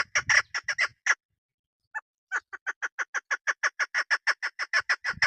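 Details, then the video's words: A hunters' local female chukar partridge (keklik) makes loud grating clucks with low rumbles, pauses, then settles into an even, rapid series of chuck notes. "دیسی مادی۔ شکاری مادی۔ صدائے مادی کبک۔شکاری مادی آواز۔پہاڑی۔sound of keklik"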